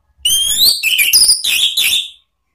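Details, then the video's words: Orange-headed thrush, Anis Merah, in a ngeplong lure song used for training cage birds: a high, upward-sliding whistle followed by several quick, loud whistled notes with shrill overtones. "memancing ANIS MERAH BUNYI NGEPLONG ¦ PANCINGAN KICAUAN ¦ NGERIWIK"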